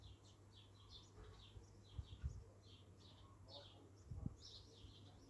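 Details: Birds singing in an abandoned garden in Rhyl in June 2021: several short, high chirping notes in quick bursts run throughout, faint against a low steady hum, with a few soft thumps.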